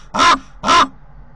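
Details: Common raven visiting a nest near Corbera de Llobregat, Barcelona, filmed by a nest camera: two harsh, broad croaking caws in quick succession, each lasting about a quarter second.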